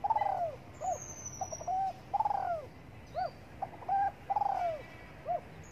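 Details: Loud, close cooing from a spotted dove sunbathing in the morning. Long falling croos alternate with short clipped coo notes in a steady repeating phrase, with a quiet background.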